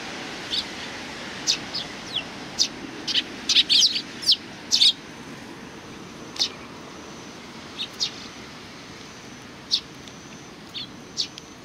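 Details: A group of Eurasian tree sparrows welcomes someone on 27 July 2020, giving bright, high chirps irregularly throughout, busiest in a rapid burst near the middle, against faint low-pitched background noise.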